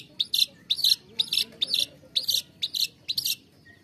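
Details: Long-tailed shrike song used to stimulate lazy or stressed caged birds to sing: harsh, scratchy double-note phrases repeated about twice a second, each a buzzy burst with a sharp higher note, over quiet background.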